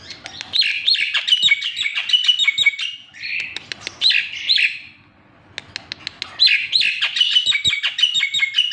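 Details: Javan pied starling singing, a rich run of varied whistles, chatters and squeaky notes in dense bursts, with a short pause near the middle before the jumbled song resumes.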